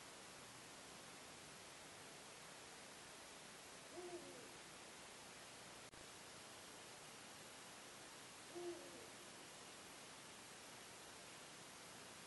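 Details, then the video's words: Eurasian eagle-owl (Bubo bubo) calling around 4 a.m. on 26 March 2016 in Hagen, North Rhine-Westphalia, Germany, heard for about 15 minutes: two deep, short, soft hoots about four and a half seconds apart over steady hiss. "Ein Uhu (Bubo bubo) weckt mich"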